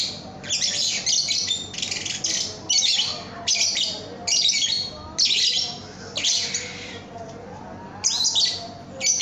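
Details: Lovebird song for training cage birds: shrill, raspy chattering bursts about one second long, repeated roughly every second with short quiet gaps.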